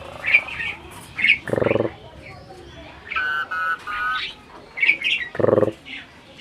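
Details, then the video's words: Adult Asian pied starling imitating human speech: clear whistled notes near the top register, short steady buzzy tones, and two harsh broadband rasping bursts, delivered in quick phrases with brief pauses. "burung jalak ini malah ngajak ngomong"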